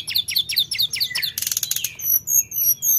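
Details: Energetic song of a sooty-headed bulbul: a quick series of high, slurred whistles breaks into a dense buzzy trill, then spaced thin, piercing notes.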